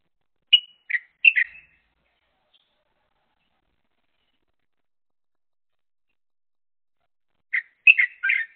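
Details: Paired crested mynas, one eating and one standing guard, call in two bouts about six seconds apart, each a quick run of three or four chirped notes alternating high and low, with quiet between.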